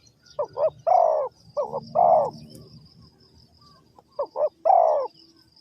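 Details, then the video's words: Spotted dove, with bird trapping in Vietnam as the setting, calling in soft low phrases. Two or three quick clipped coos lead into a longer drawn-out note, repeated three times over a quiet background. "The Sound Of A Spotted Dove"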